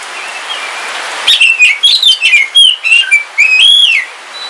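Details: Oriental magpie-robin, black Kalimantan form, captive and singing on a rainy day: after faint rain hiss, a quick series of sliding whistles and chirps ending in a long arched whistle.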